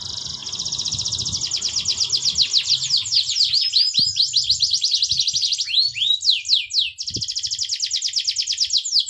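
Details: A canary sings a long, rapid, elaborate song of trills, rolls and sweeping whistled notes, played to prompt other canaries to sing.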